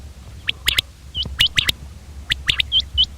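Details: Common quail giving quick clustered notes with short upward-hooked chirps between them, all bright and high, over faint low background hum.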